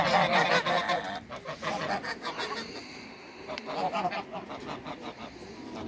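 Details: Toulouse geese, two males and one female, in a backyard after leaving a crate. Loud, nasal honks repeat rapidly and overlap into a steady, irregular chorus for the full six seconds, with a brief lull just past the midpoint.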